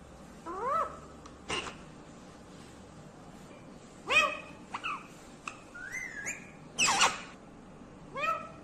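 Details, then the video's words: Ringneck green parrot vocalizing in scattered bursts: short upslurred whistled notes, harsh broadband squawks and a nasal rising syllable, spaced irregularly over several seconds against a faint hiss. "Natural sound of talking ringneck green parrot"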